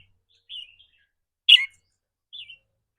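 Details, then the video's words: Red-whiskered bulbul kept in a cage. Its rapid 'rik' trilling is said to vary with its mood each day. Three brief notes in three seconds: a soft slurred whistle, a loud sharp burst, then another soft slurred note. "ริ๊กรัวๆ คือเรื่องปกติ"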